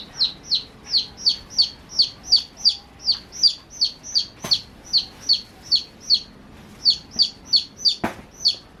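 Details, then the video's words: Chicks chirping while playing: a long, steady train of shrill, downward peeps, roughly three each second, broken by two sharp thumps. "Amazing Baby Chicks Chirping Sounds (cute playing)"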